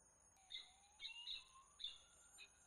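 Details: Peregrine falcon calling at Włocławek, Poland, on 15 January 2013: three short, harsh, high notes with layered overtones, spaced about half a second to a second apart. A faint mechanical tone glides upward underneath, and steady high electronic whines persist throughout.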